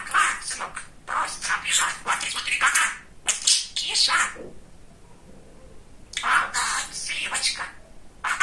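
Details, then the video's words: A talkative pet male budgerigar chatters in quick, raspy, high-pitched bursts of mimicked speech, with short pauses between phrases in a quiet room. "Разговорчивый Волнистый Попугайчик"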